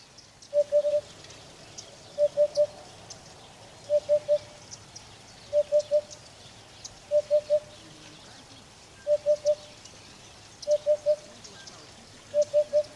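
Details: Steady series of eight soft triple hoots from a Eurasian hoopoe (Upupa epops), known in Arabic as hudhud. Each low, pure hoo-hoo-hoo is followed by a pause of about one and a half seconds, with faint background hiss.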